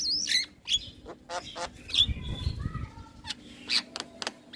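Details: A young starling on a training track meant to be played repeatedly to make silent starlings sing. Its scratchy squawks and clicks are broken by a few clear, level whistles, with low background rumble.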